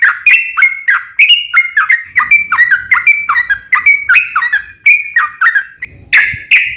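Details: Sooty-headed bulbul delivering a rapid 'ropel panjang' song meant to trigger replies from other bulbuls; fast, clipped whistles with percussive starts, mostly even in pitch, with a brief pause and a loud, broad final phrase.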